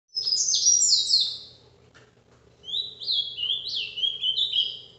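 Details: Ultramarine grosbeak singing the Paraná vinte vinte song style, recorded live: a bright whistled phrase of quick sliding, swooping notes, a pause, then a second run of rising and falling whistles, over a soft steady low hum.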